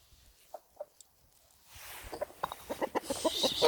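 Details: Chickens: two soft clucks early on, then a fast run of sharper clucks as a rushing background noise builds up.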